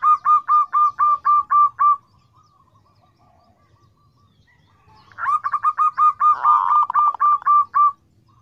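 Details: A local zebra dove (Geopelia striata), recorded for use as a lure, sings fast strings of short, husky cooing notes, about four per second, in two bursts separated by a brief quiet pause.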